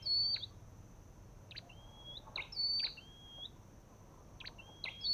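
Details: Olive-backed tailorbird with loud sharp bursts and upward-sliding whistles, several phrases in five seconds against a quiet background.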